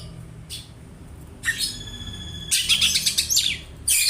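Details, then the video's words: Oriental magpie-robin copying house sparrow, kept for tutoring: quiet start, then a buzzy note with steady tones, followed by a loud rapid chirping burst. "Kacer nembak burung gereja , cocok bwat masteran"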